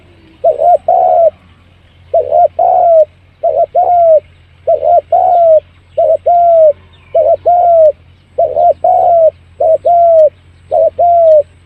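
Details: Spotted dove lure call meant to bring birds in fast, steady two-part coos, a brief note then a drawn-out one, repeated about ten times in quick succession against a low background hum.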